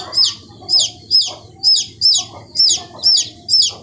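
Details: Chicks fifteen days old give loud, high cheeps that fall in pitch, repeated about twice a second in a steady rhythm, with a faint low background hum throughout.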